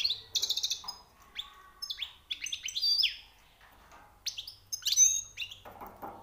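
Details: European goldfinch, freshly trapped, delivering high notes: a quick buzzy trill, then a string of liquid twitters and sliding whistles, a pause, and another lively burst.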